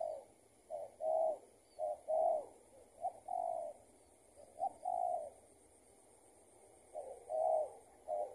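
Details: Escaped tethered decoy spotted dove answering a lure during trapping. Fainter, somewhat distant paired coos, a quick note then a longer one, in spaced bursts with a quiet gap in the middle.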